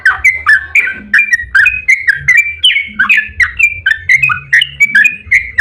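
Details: Yellow-vented bulbul singing vigorously in the long 'ropel' style, meant to provoke other bulbuls into replying: a continuous chattering run of short liquid whistles rising and falling, about two or three notes per second, with faint low hum beneath.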